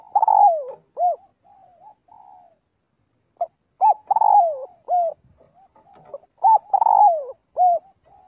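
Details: Spotted dove calling its flock during daily voice practice: three loud cooing phrases about every three seconds, each a short hoot followed by a longer, throaty, downward-sliding coo, with soft murmured coos between them. The background is quiet.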